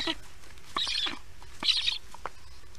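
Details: Black stork at a nest cam as lunch is delivered to the storklets, 1:39 p.m. EEST, 22 July 2019: two brief, hissing, raspy bursts about a second apart, with soft clicks and rustling between them.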